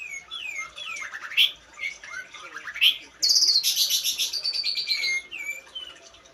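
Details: Long-tailed shrike song with varied phrases: rising slurred whistles near the start, then a loud harsh burst of dense high notes at about three seconds, followed by sustained descending tones and softer chirps.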